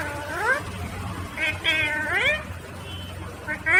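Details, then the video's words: Green Indian ringneck parrot speaking in drawn-out, bending syllables that swoop upward then fall, several linked phrases over a noisy, rumbling background. "Natural Sound of Talking Ringneck green parrot"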